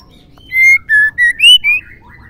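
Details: White-rumped shama female, whose call is used to make males sing: a single crisp phrase of five clear whistled notes, each slightly higher or lower than the last, the fourth the highest, evenly spaced over about one second.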